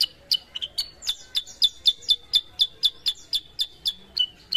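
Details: Caged sooty-headed bulbul, being trained from a raw bird into an eager singer. It gives a lively string of loud, clipped high chirps with small double notes mixed in.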